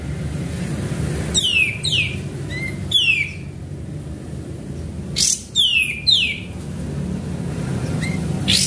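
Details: Sooty-headed bulbul lure song: clusters of two or three quick descending whistles, a short flat note among them, then a pause before another pair, over a low humming background.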